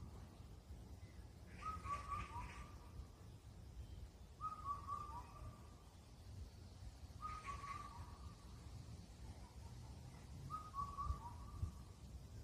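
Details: Indian cuckoo on Cheonmasan, Incheon, Korea, a bird said to call all night at the end of spring: four clear whistled notes near one pitch, the last dipping lower, repeated roughly every three seconds over low rumbling background noise.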